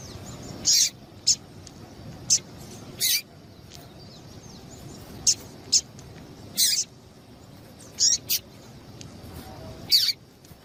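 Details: A female double-collared seedeater gives scattered short, high, squeaky chirps, some in pairs, with pauses of one to two seconds; the calls are used to rouse males into song.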